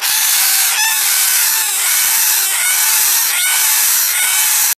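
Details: Red-rumped parrot chicks, two weeks and three days old, recorded 26 November 2014, give harsh, raspy begging calls, repeated roughly once a second over a steady hiss.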